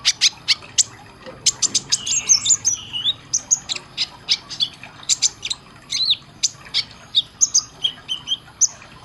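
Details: Sunbird (kolibri ninja) training song: a long, busy stream of very high chips and ticks, several per second, with a short lower whistle and quick twittering phrases.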